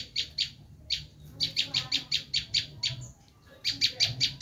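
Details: Screaming call of a Bar-winged prinia, used as a lure for wild prinias: strings of rasping, high-pitched notes repeated several per second, with a short lull and a faint thin whistle before a final fast run.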